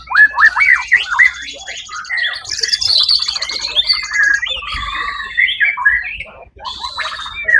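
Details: First-place white-rumped shama in a songbird competition, 1 October 2023, delivering a dense, rapid song of sweeping whistles, sharp upslurs and chattering trills that overlap into a busy, continuous stream.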